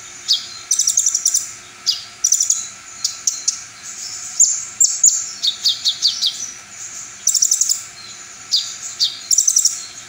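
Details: A brown-throated sunbird pours out its full song material, said to make other sunbirds agitated and sing back. Stuttering high rattles and quick squeaky whistles repeat in lively groups, with occasional sweeping notes.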